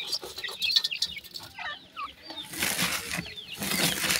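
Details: Pheasant chicks feeding on new food: sharp, downslurred high peeps in loose bursts, then broad rustling and scratching noise in the second half.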